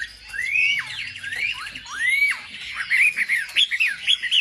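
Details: Lure song of a wambi to provoke rival wambi birds. Long arched whistles swoop up and then down, followed by quicker rising and falling slurred notes toward the end.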